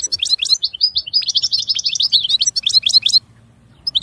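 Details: Clear European goldfinch song: a continuous rapid twittering of high liquid chirps and trills for about three seconds, then quiet with one last note.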